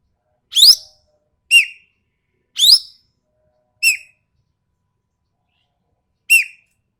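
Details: Ekek keling from Sumatra with a sharp, coarse voice, alternating loud rising rasping notes and shorter clipped downward notes, five calls spread irregularly over seven seconds in silence.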